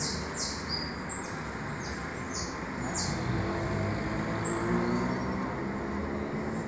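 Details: Begging from saffron finch nestlings just out of the egg: quick high rasping bursts cluster in the first few seconds, then thin out and fade, while a constant low hum fills the background.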